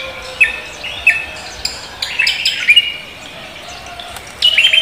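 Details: Javan green magpie greeting the morning with its 'koak kelapa' song: short whistled notes at regular intervals, then a busier phrase and a loud trilled burst at the end.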